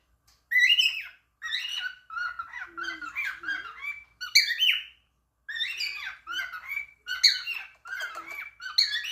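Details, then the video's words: A talking cockatiel gives rapid squawky, chattering syllables in several phrases, with sharp rising whistles and brief low squeaks between them, and a few silent gaps. "cocakteil talking"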